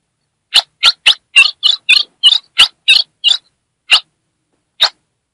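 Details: Female Ultramarine grosbeak from Brazil's Northeast, calling to excite a male: a run of short harsh chips centred high, about three per second at first, then slowing to lone notes, on a silent background.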